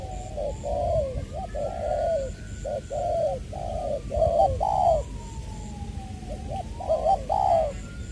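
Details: Spotted dove kept as a decoy bird, from Trà Vinh, Vietnam, recorded 22 February 2021: low, hollow cooing in repeated groups of short notes and longer rolling coos, with a faint sliding whistle-like tone in the background.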